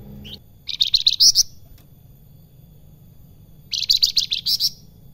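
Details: Salakan singing actively, giving two short bursts of dense, buzzy, rapidly trilled notes high in pitch, each under a second long, separated by a quiet gap with faint low background hum.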